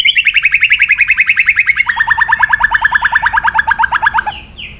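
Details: White-rumped shama giving an agitating song: a long, very rapid, harmonically rich trill that steps down in pitch halfway through and fades away.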